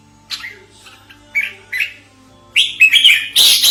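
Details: Lure sound of a red-whiskered bulbul, used for trapping and as a model for training: sparse short chirps at first, then a loud, rapid, harsh chattering outburst to the end; low hum in the background.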